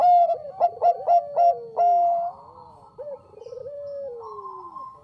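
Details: Zebra dove of the Bangkok type singing strongly as lure sound: four or five crisp, bright coos in quick succession and a drawn-out note, then a quieter vibrating trill sliding downward.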